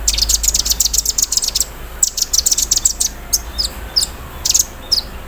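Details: Caged olive-backed sunbird singing in the morning while set out in the dew, its song filled with embroidery-machine imitation: bursts of sharp, very high chips and rapid stuttering notes, with short thin downslurred whistles later.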